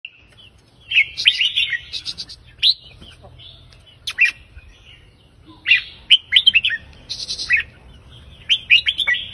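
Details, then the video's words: Red-whiskered bulbul singing a counted-phrase song of three to five notes, used to rouse other birds: bright warbled phrases in quick bursts of three to five rising and falling whistles, with pauses between groups and faint high chirps. "นกกรงหัวจุกสายนับดอกเพลง 3-4-5"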